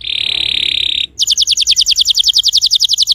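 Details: Canary song meant to get a silent canary singing: a flat, fast buzzing trill for about a second, a short gap, then a higher series of evenly spaced pulsed notes about eight per second.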